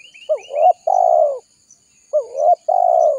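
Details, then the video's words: Spotted dove call used as a lure to draw wild doves in for trapping: two loud mellow cooing phrases, each a short wavering coo followed by a longer steady low coo, about two seconds apart, with faint high chirps and a thin steady high tone behind. "Suara Burung Tekukur Gacor Paling Ampuh Untuk Pikat Dan Pancingan"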